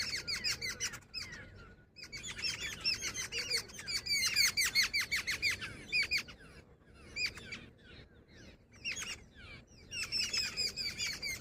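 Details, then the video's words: Dense, scratchy chattering from a female jungle babbler in rapid uneven bursts with brief pauses, the squeaky notes crowding together and then resuming near the end. "Jungle babbler sound effect | babbler bird Sound Grey | female babbler ki video"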